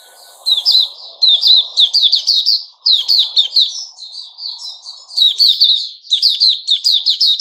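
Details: Sooty-headed bulbul, 10 July 2021: loud, lively song of quick sweeping chirps strung into dense phrases, broken by short gaps, over a soft low background hum.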